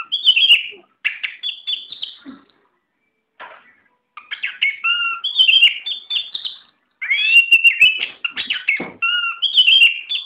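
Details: Oriental magpie-robin, a tame bird, in varied song: bursts of sweet whistles and scratchy notes mixed, several phrases separated by brief silences, a low whistled note recurring.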